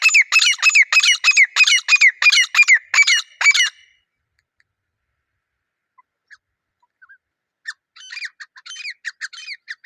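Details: Wild grey francolins calling as a pair outdoors: about four seconds of loud, rhythmic, grating phrases with squeaky rising ends, followed by silence, then a fainter, more distant run of similar repeated notes.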